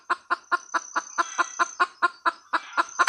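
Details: Female red junglefowl producing a regular series of short, throaty clucks, roughly five a second, ending as a louder note begins; a thin high whine sits in the background.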